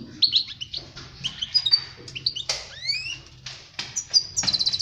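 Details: European goldfinch song, played for teaching young birds to sing, 2020: rapid tinkling twitter of high sharp notes and slurred whistles, two clear downward-sweeping whistles midway, ending in a fast buzzy repeated trill.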